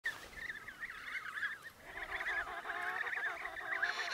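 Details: Emperor penguin chicks in Antarctica, seen eating snow for water, give overlapping, wavering whistled calls that rise and fall in quick runs, several birds at once, over a low rumble of wind.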